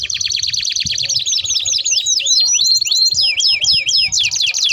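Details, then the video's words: Canary in long rolling song, used as a lure and for tutoring young canaries: rapid repeated down-sweeping notes forming fast rolls, shifting into looping whistled phrases, with faint background music. "Kenari Gacor Ngerol Panjang Untuk Pancingan || Cocok Untuk Masteran Kenari Paud"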